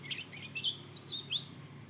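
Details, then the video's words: Young Mozambique canary × canary hybrid, two months old, learning to sing: a few short, scratchy, slurred chirps in quick succession, high-pitched, with a faint low hum underneath. "Anakan burung mozken hasil silangan mozambik dan kenari baru ngeriwik belajar bunyi"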